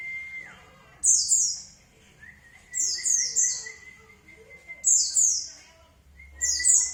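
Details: White-eye lure song meant to draw an answer: four bursts of very high, rapid, buzzy twittering, spaced about every one and a half seconds. A long, level mid-pitched whistle runs between them, over a faint low hum.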